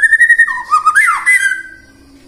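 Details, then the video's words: White-rumped shama song meant to make other shamas sing in the morning, midday and afternoon: a sustained whistle over a lower, looping warble, then a bright rising note that fades out. "PANCINGAN MURAI BATU AGAR BUNYI PAGI, SIANG DAN SORE HARI"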